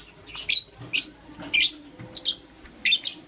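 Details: In the morning a green Personata and a yellow pastel pied lovebird trade raspy, high chirps, about five clipped bursts spaced roughly half a second apart.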